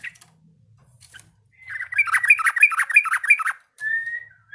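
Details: A yellow-vented bulbul (Pycnonotus goiavier) practising its song: a quick run of bubbly, chortling notes, about five in under two seconds, then a short clear whistle.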